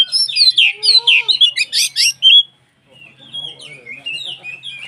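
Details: Loud, rapid sequence of bright whistled and chirping notes from a white-rumped shama used to trigger other shamas to sing, followed by a brief silence and softer warbled phrases; a faint low hum persists.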